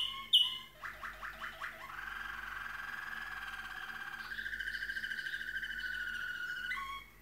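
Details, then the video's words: Malinois Waterslager canary singing a rich, rolling song: a quick burst of five rising notes, then long bubbling trills that step up in pitch near the end. "waterslager canary singing"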